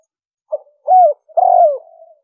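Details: Lure call of a spotted dove, liêu ròng style. One phrase: a short note, an arched hoot, then a long, throaty, slightly falling coo that trails off softly. The background is quiet.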